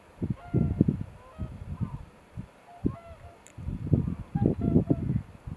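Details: Breeding-season cormorant colony: dense, overlapping low gargling croaks from many birds, rising and falling in waves, with thin tonal calls from other birds behind.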